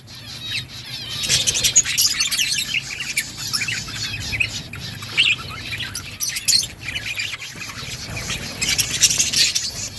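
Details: Budgerigars feeding on green food keep up a busy mix of high chirps, buzzy warbles and squawks, rising and falling in overlapping bursts throughout.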